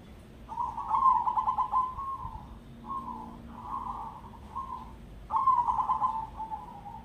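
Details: Crossbred zebra dove singing a ketekdobel-rhythm song. Rapid pulsed, vibrating coos open each phrase, then shorter, purring notes follow. A fresh trilled phrase begins after a brief gap, over a low background rumble.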